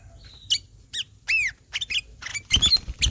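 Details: Kutilang emas, or ruby-throated bulbul, singing ngelowo: separate arching whistled notes build into louder mixed chatter with low bumps at the end.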